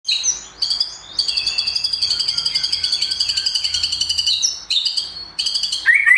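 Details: White-rumped shama, a competition-simulation recording of a champion bird, singing a loud, varied song of high whistled trills with rapid pulsed phrases held near the top, broken by short pauses and ending on a rising whistle.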